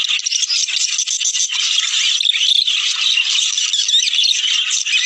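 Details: Breeding-stimulation chorus of budgerigars: constant high-pitched scratchy warbles and chirps layered together, slightly louder bursts near the middle, no gaps.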